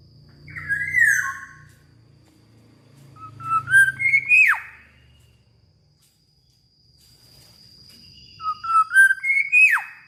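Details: Energetic black-naped oriole song with three fluty phrases spaced a few seconds apart, each built from stepped rising whistles ending in a steep descending slur; low background rumble early and a faint constant high tone.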